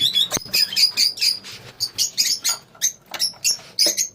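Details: A lovebird colony giving bursts of high, squeaky chirps and short twittering notes in rapid separate groups, roughly three or four bursts a second, with short quiet gaps between.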